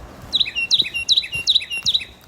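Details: Carolina Wren at Lower Haw State Natural Area, Pittsboro, North Carolina, singing a rapid, rolling series of five loud, ringing phrases, each a quick downward slur, repeated about every half second.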